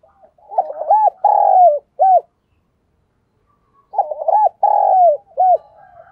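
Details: Spotted dove kept as a decoy, singing a 'thổ'-voiced provoking coo: two identical phrases about three seconds apart, each a stuttered opening, a long sustained hoarse note and a short end coo, in otherwise quiet surroundings.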